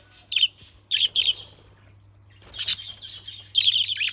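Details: Caged budgerigars utter scratchy, high chirps in small clusters, a pair of bursts early, then a longer run of rapid chattering notes after a short silence, with a faint low hum behind.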